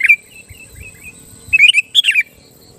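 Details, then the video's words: Sooty-headed bulbul song used to challenge rival bulbuls: one sharp note, faint soft whistles, then a quick cluster of bubbly, slurred rising and falling notes near the end. "Suara burung kutilang gacor Ampuh Menekan Lawan Kutilang Lain Langsung Emosi dan Ikut Gacor"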